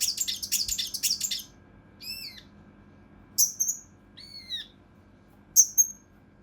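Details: Mountain leaf warbler recorded for competition-bird training in the tembakan kasar rapat style: opening burst of fast harsh rattled notes, then spaced arched ringing notes and sharp stuttered high whistles.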